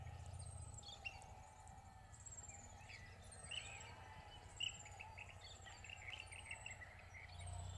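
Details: Rainbow bee-eaters (Merops ornatus) at Coolac Cabins & Camping, Gundagai, New South Wales, on 22 October 2021 give short, rolling chirps amid thin, high, falling whistles from other birds, over a steady low rumble.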